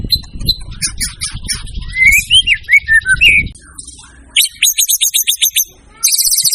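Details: A white-rumped shama sings varied phrases: scratchy high notes over low background rumble, a series of rich, looping whistles, then rapid ringing repeated chips and a final high rattled burst.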